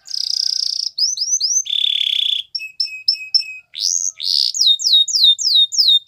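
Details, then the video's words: Canary training song: a buzzy trill, curved whistled notes, a lower buzzy roll, spaced double pips, then rising whistles and repeated downslurred notes. "Canary Bird Sounds | The Best Canary Singing For Training"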